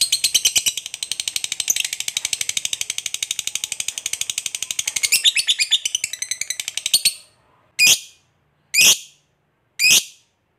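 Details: A fighter lovebird's long ngekek, used to provoke other lovebirds into answering: seven seconds of rapid, harsh, high chatter, followed by three separate loud, sharp shrieks about a second apart.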